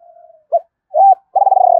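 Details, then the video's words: Spotted dove cooing to provoke a rival: a faint low hum, a short clipped note, a longer arched coo, then a loud vibrating purr that slowly slides downward. "Chim cu gay kich boi gay goi hai hau/ cu gay kich boi nhanh noi gù"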